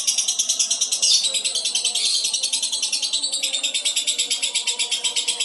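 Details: Contest lovebird of the albino colour form giving a long ngekek, a sustained rasping high chatter made of fast regular pulses, steady throughout with no pause; faint low room sound underneath.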